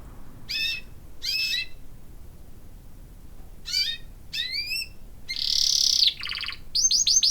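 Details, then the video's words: A pet canary singing in quick bright phrases: rising whistled sweeps, a rolling trill, a buzzy burst and rapid repeated chirps, high-pitched and varied. "My Canary Singing"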